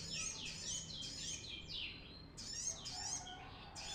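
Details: Song of a brown-throated sunbird used as a training lure: dense high squeaky twitters and downslurred notes in quick bursts, a short gap midway, then more sharp chirping phrases.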